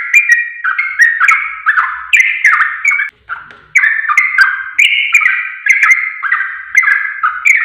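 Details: Sooty-headed bulbul song for tutoring caged birds: rapid bubbling whistled couplets that run continuously, broken by one brief gap near the middle before the chattering phrases resume.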